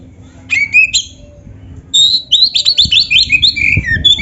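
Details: Kacer, the oriental magpie-robin, singing gacor: a short whistled phrase, a brief pause, then a fast string of chattering and whistled notes sliding downward, with faint low rumbling beneath.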